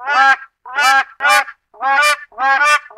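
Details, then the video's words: A black crowned crane (Balearica pavonina, West African crowned crane) gives loud, harsh honking calls, five in three seconds, each a rich nasal blast with a slight rise and fall. "黑冕鶴(西非冕鶴、黑冠鶴)/Black Crowned Crane"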